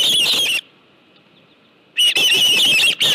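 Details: Osprey at a ranch nest with a live fish, evening of 25 July 2018: a short burst of harsh, high squealing calls, over a second of near silence, then another loud burst of shrill chirps.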